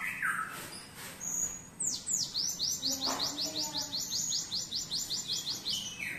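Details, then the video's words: Cinereous tit with canary-style song: a few scattered whistles, then a long rapid trill of high downward chirps repeated evenly about four times a second. "GELATIK BATU MEWAH GACOR ISIAN KENARI"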